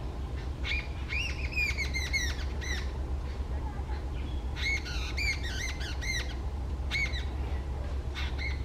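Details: Angry Jungle Babbler calling out loudly, a bird of the Indian subcontinent that moves in small groups: rapid series of harsh, squeaky rising notes in clustered bursts with pauses, over a constant low rumble.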